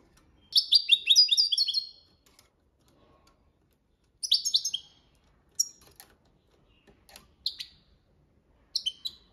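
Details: Goldfinch with copia malaga training song: a long opening run of sweet descending twitters, followed by shorter clipped bursts and isolated chirps spaced a second or more apart.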